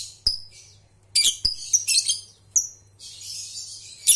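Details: Lovebird sounds meant to coax young birds into trilling (ngekek): sharp isolated chips, then a quick run of scratchy high notes and a longer buzzy chatter near the end, with a low background hum.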